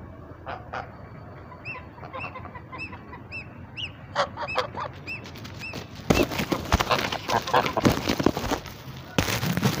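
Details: Chinese geese, flying and feeding, give a rapid run of loud, nasal honks, several each second, before a burst of loud rushing noise, likely wingbeats or wind, takes over.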